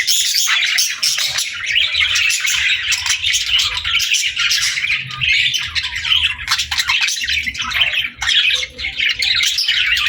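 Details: A lively group of parakeets playing and singing: nonstop shrill chirping and scratchy warble with quick squawks, briefly thinning near the eighth second.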